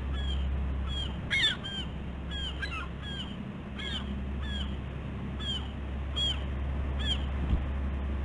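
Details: Bald eagles calling at a West End nest on Catalina Island, California, during a busy morning on 15 August 2016. High, squealing chirps come in quick, uneven bursts, some doubled or run together, over a constant low electrical hum.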